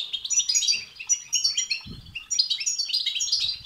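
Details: European goldfinch twittering in the batbata and satsata style, used to excite other goldfinches into singing; dense high chattering trills and liquid notes run continuously, with a soft low thump near the middle.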